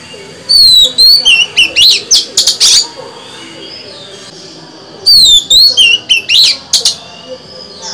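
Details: Two bursts of song from a female Oriental magpie-robin, sung to arouse male birds. Each opens with descending whistles and runs into quick, clipped chirps, separated by about two seconds of near silence.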